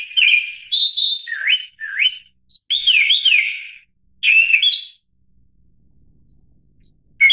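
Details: Japanese thrush, Turdus cardis, also called Japanese blackbird: loud, clear whistled phrases, varied, with rising and falling slurred notes and some trilled warbles, given in short bursts separated by pauses, in an otherwise quiet setting.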